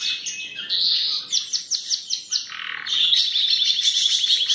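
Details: Belgian canary singing a buzzy opening note, then a string of rhythmic repeated chirps, ending in a fast, high rolling trill.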